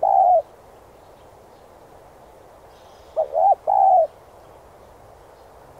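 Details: Decoy-training song of a spotted dove: the end of a long coo, then after a pause a short note, a double coo and a sustained coo, with the next phrase just starting.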